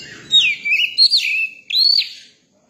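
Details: Young Oriental magpie-robin song: clear whistled phrases, a falling sweep, a short looping warble, then a rising, slurred whistle, with a brief pause between phrases.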